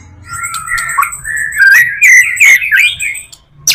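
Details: White-rumped shama song from a full repertoire used to draw in other shamas: flowing, melodic whistles rising and falling in a continuous warble, with a few sharper accented notes.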